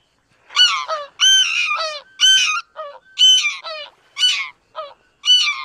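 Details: Loud, yelping, two-part honks from greater white-fronted geese, each rising then dropping, given about once a second in a lively, overlapping sequence.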